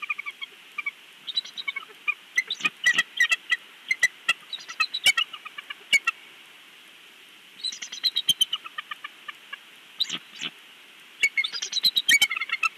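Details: Father bald eagle on a Big Bear nest, filmed by a live nest cam: high, thin, piping chatter in repeated bursts of rapid harmonic notes, separated by short pauses, with frequent sharp clicking knocks throughout.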